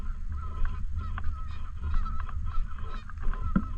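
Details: Canada geese around a park lake giving irregular honks, roughly three every four seconds, with a sharp louder call near the end and a low rumble throughout.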